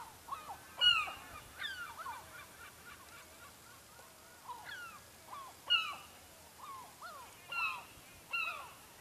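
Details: Seagulls near a fishing village in Lofoten, Norway; a busy mix of short yelping and mewing calls from many birds, louder cries roughly every two seconds, constant faint hiss.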